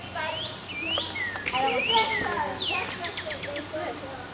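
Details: Male Northern Cardinal singing: loud slurred whistles sweeping down, then a quick run of sharp repeated notes, with a soft murmur of other sound underneath.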